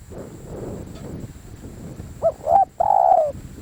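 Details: Spotted dove decoy bird calling: after a stretch of low rumbling background noise comes a single phrase of two short coos followed by a longer sustained coo.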